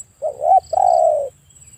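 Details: A single spotted dove phrase, a wavering rising note followed by a long even coo lasting about half a second, set against a faint steady high-pitched whine.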